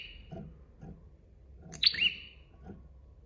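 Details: Single phrase from a bar-winged prinia master recording: an abrupt high note followed by a loud buzzy tail fading downward, the end of a previous phrase at the start, soft low thuds behind.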